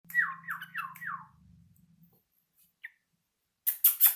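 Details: Yellow-vented bulbul learning its song: four slurred whistles, each falling from high to low, given in quick succession, a short pause with one brief note, then three loud harsh buzzy bursts at the end.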